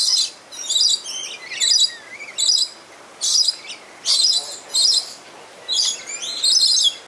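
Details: Playing lorikeets in a Tampa, Florida zoo give shrill, grating screeches in short bursts, about one every second or so, with thin rising squeaks in between.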